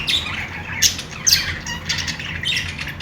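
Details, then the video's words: Budgerigars playing give quick high chirps and scratchy warbled notes, with sharp accented squeaks about every half second over a faint low hum. "Australian parrot singing | love birds sounds | parakeet chirping sounds | budgies playing sounds"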